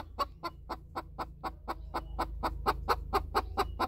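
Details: Cackling of a hen after laying an egg, with another hen close by: rapid clipped clucks, about two to three each second, rhythmic and slightly uneven, over a low background hum.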